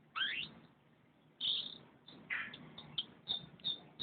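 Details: Canary singing: a bright rising sweep, then a pause and a series of short high chirps and clipped notes spaced irregularly, with a faint low hum beneath.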